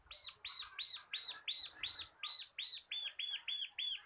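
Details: Bar-winged prinia, local 'kristal kapas' type, singing vigorously in the 'ngebren' style as a tutor and lure for cage birds: a steady series of about twelve sharp, arched, high chirps, roughly three per second, with slightly faster final notes.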